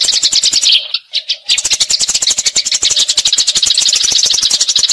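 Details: Rolling fight chatter of Eurasian tree sparrows, used to tutor magpie-robins: quick harsh chirps pour out rapidly, pause for a moment, then resume over a steady background of sharp clicking ticks.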